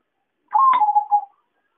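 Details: Zebra dove gives one soft, mid-pitched cooing phrase under a second, a level note sliding slightly down into a short burbling trill, in quiet surroundings, used as a lure call for trapping; Zebra dove.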